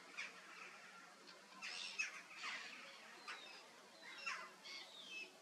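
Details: Laughing kookaburra in a zoo giving harsh, raspy bursts and short rising chuckles at uneven intervals, a few seconds apart, against a soft background hiss.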